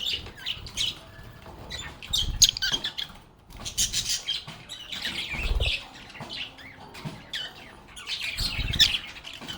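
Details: A group of lovebirds sings and plays, with busy scratchy chirping and squeaky calls in waves, broken by soft thumps and bursts of wing flapping.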